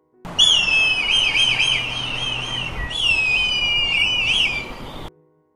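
Red kite giving two long, high, mewing whistles, each starting steady then breaking into a wavering, quavering trill before fading.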